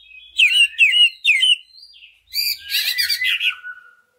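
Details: Greater green leafbird singing, played as a lure to spur other leafbirds into full song: three rising slurred whistled notes, a soft thin note, then a dense chattering burst of mixed high notes.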